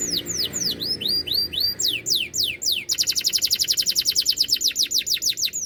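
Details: Canary in vigorous 'cadas' style song: a run of loud sweeping downslurred whistles, then a fast even rattle of repeated notes about eight per second.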